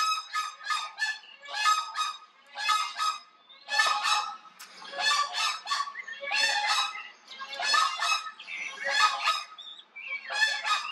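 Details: A pair of White-naped cranes perform their unison call, an aggressive wake-up and warning call triggered by a curious observer. The deeper-voiced male begins, and they trumpet together in loud, ringing bursts about once a second in a harsh, rolling duet.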